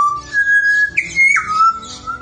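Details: Australian butcherbird, pied or grey, giving a short run of clear, fluty whistled notes: a steady note, a higher one, a brief peak, then a drop back down. Faint background hiss.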